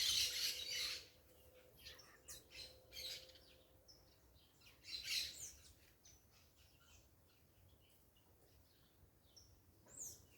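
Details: Parakeets calling in a natural setting: a loud harsh squawk burst at the start, then scattered chirps and a second squawking burst midway, with quieter spells and a faint steady tone in between.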